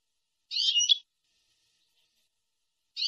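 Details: European goldfinch song from a recording for training young birds, in the nahrat and taqasim style: one short twittering, buzzy phrase lasting about half a second, then silence, then another phrase beginning.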